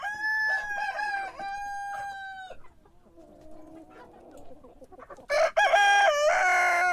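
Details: Two morning rooster crows: one long steady harmonic crow ending after two and a half seconds, a stretch of soft clucking from hens, then a second, louder crow with a stuttering start.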